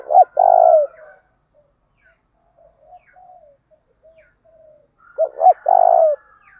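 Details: Spotted dove lure bird calling to provoke fighting, in the 'thổ đồng' voice style: a long coo at the start, then a full phrase of two short coos and a long low coo about five seconds later, with faint notes between.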